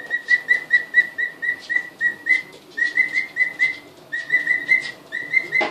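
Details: Two-week-old emu chicks, just arrived and getting their first glimpse of the house, recorded 24 February 2013: steady series of clear, level whistled peeps, about three per second, several overlapping, with brief pauses.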